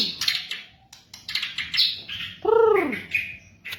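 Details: White-rumped shama song used as tutor material for captive birds: varied bursts of chirps and short whistles, then a loud, rich note that swoops up and down with strong overtones, followed by further brief high notes.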